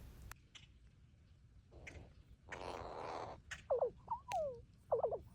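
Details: Neighborhood crows that are regularly fed give a few short, swooping, slightly nasal notes in quick clusters near the end, after a brief rushing noise and some clicks.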